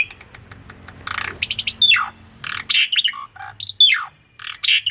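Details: Caged Asian pied starling song used as a training master: scattered harsh rasps, downslurred whistles and short buzzy notes with gaps between phrases, over low background hum.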